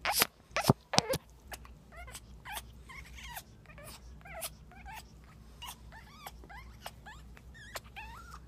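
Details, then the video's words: Captive female African grey parrot displaying mating behaviour, having laid an egg that day: a few loud harsh clicks, then a rapid series of rising, warbling whistled notes and squeaky chatter, with a steady low hum indoors. "African Grey Bookee in heat"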